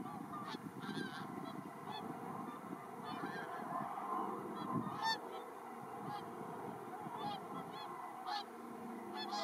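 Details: Mixed flock of about 100 whooper and tundra swans feeding on spilled rice grain in a one-hectare paddy field, Iwanuma, Miyagi, Japan, 4 December 2023, keeps up continuous overlapping honking, bugling calls over a dense low murmur; helicopter overhead distracting many.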